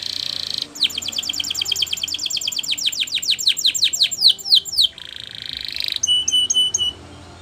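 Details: Canary song for training: a short buzzy roll, then a long, accelerating series of sharp down-slurred notes, a smooth roll, and closing clipped double pips.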